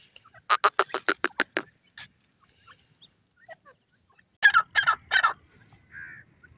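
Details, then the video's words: Teetar (francolin), Dakhni and Irani types: a loud, rapid series of about eight harsh, clipped notes, a quiet pause with faint ticks, then a second burst of four notes and a short soft whistle. "Dakhni and Irani Teetar Calls"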